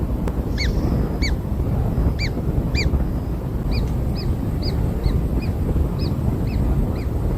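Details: Kingfisher chicks just hatched and fed black insects give arched squeaks that shift partway through to higher, thinner, evenly spaced peeps about every third of a second, with low rumble throughout.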